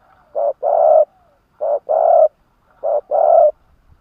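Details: Caged spotted dove kept in Vietnam as a decoy to lure wild doves, cooing steadily. Each phrase is a short low note followed by a longer hoarse coo, repeated three times about every 1.3 seconds in a quiet setting.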